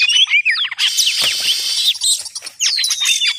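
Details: Oriental magpie-robin call played to lure birds for trapping: quick whistled sweeps and chirps open, then a long harsh, scratchy rasp with mixed chatter, ending in more thin whistled notes and a drawn-out falling whistle.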